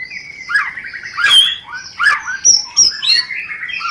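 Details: Rencetan of a white-rumped shama for stimulating mating: quick warbled phrases with rising whistles, buzzy chatter and several loud snapping clicks over four seconds.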